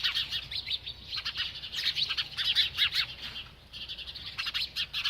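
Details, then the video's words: A bird chirps steadily while eating, with fast, high, clipped notes, about two or three a second, in uneven runs. "This Happy Bird Won’t Stop Eating and Chirping"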